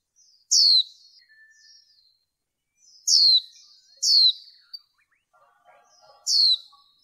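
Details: Caged female white-eye used in training to excite male birds: four bright, shrill notes, each sliding quickly downward, spaced irregularly over seven seconds, with quiet twittering and faint low chatter in the gaps.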